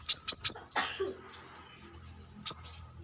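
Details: Brown-throated sunbird outside its cage: a rapid triple of very high, thin chips, a short rasping noise, then a single high chip after a pause.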